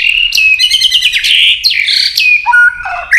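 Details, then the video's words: White-rumped shama singing competitively: a continuous rich, buzzy whistled warble with harmonics, sliding and wavering, ending in lower fluted notes. "Chòe lửa kéo dây suối dài .đánh đuôi cực sung kích cực nhạy. kích chòe lửa căng lửa. chòe lửa tạch"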